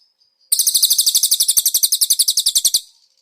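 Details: Konin song from a master recording for training cage birds, with cililin-style fill-ins: one fast, dry trill of sharp high chirps, about eight per second, lasting two seconds and then stopping abruptly. The recording is clean and quiet.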